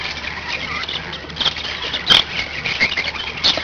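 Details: Pet budgerigars, five birds, warbling and chirping in a busy tangle of scratchy high notes, broken by a loud sharp click midway, with faint background hum.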